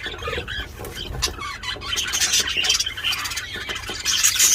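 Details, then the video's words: Budgerigars during mating, loud: dense scratchy chatter and squawks mostly high-pitched, fast and irregular throughout, with a low rumble of background noise. "They are so loud #budgiemating #budgiesound"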